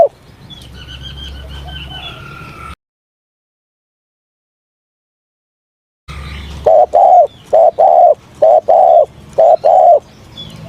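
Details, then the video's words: Spotted dove during morning voice training: faint chirps of other birds at first, a stretch of silence, then a clear run of low, muffled coos in short and long notes. "Tiếng Chim Cu Gáy// luyện giọng cu gáy buổi sáng"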